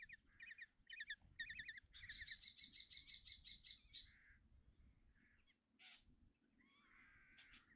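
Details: Common kestrel (Falco tinnunculus) chicks in a nest box at Tiszalök, Hungary, on 30 June 2024, begging for food as the mother brings breakfast: shrill, harsh, rapidly repeated calls in quick bursts, about two a second, fading into scattered squeals.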